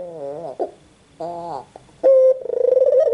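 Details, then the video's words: Quiet wavering notes from a white Barbary dove, then a loud clipped note and the start of a fluttering, purring coo. "SUARA BURUNG PUTER PUTIH"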